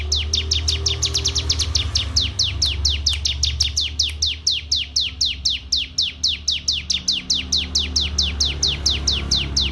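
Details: Canary of the FSL type from Wonosobo, Indonesia, delivering a long, even run of quick, bright downward-sweeping chirps, several per second, with a constant low background hum.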